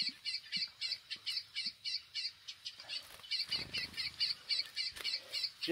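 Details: A chestnut-bellied seed finch (Sporophila angolensis) sings a fast string of bright, whistled double notes, about three or four each second, with faint voices and handling noise behind.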